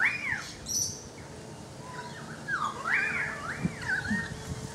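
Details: Currawong song from a balcony: loud whistled notes arching around the upper-middle range, a rising-falling swoop early, then a run of looping, gliding phrases; faint higher chirps and a steady low hum behind.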